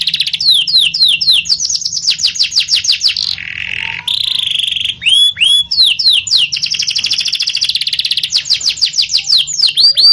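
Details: Canary, called kenari, delivering energetic ngerol nembak song of rapid rolling trills, piercing downward whistles and lower buzzy passages, changing tempo every second or two over a constant low hum.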